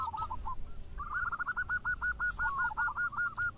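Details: Local zebra dove singing actively, with others answering: a short opening phrase, then a long even train of quick, bubbling coo notes, each one sharply hooked.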